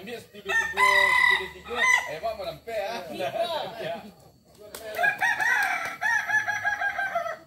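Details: Kukuak balenggek roosters, a multi-level crowing breed endemic to Tigo Lurah, Solok, West Sumatra. Bursts of clear, stepped crowing come in waves with brief quiet gaps, several birds seemingly overlapping.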